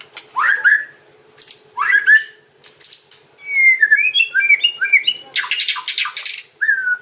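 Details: White-rumped shama song in the kretekan and ocean styles, used to lure other shamas into answering. Loud upward-sweeping whistles, a run of rapid liquid warbled notes, then a burst of harsh rattling chatter and a final whistle.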